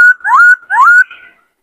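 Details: White-cheeked laughingthrush singing in many voices, used to train young birds and fire up males to sing and dance. Two clear whistled phrases, each opening with an upward swoop into a long steady whistle, then a softer fading trail.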